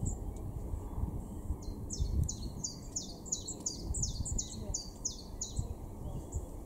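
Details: A common chiffchaff sings in a garden in Norden, East Frisia, far northwest Germany, in April 2023: a steady run of about a dozen high, clipped notes, roughly three a second, over a low background rumble.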